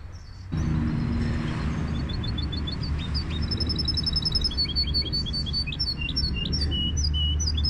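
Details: Goldfinch hybrid singing: after a brief quiet start, a fast, unbroken run of high twittering notes, short repeated trills and sharp chips, set over a steady low rumbling hum.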